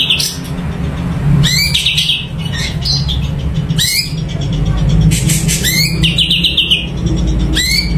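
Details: Caged Sumatran leafbird in full song: repeated sharp upward-sweeping whistles, a brief rapid trill, and scratchy noisy bursts, set against a constant low rumble.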